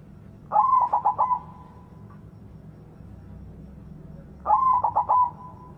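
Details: Loud white zebra dove in full song, a lure for doves that have stopped singing; two bubbling coo phrases about four seconds apart, stuttering notes ending in a long level hum, quiet background between.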